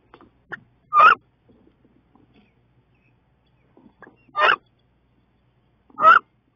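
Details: Two female wood ducks battle fiercely in a nest box in mid-May. Three sharp, rising squeals sound after a brief quiet stretch, the last two about 1.6 seconds apart, with light scratching and rustling in between.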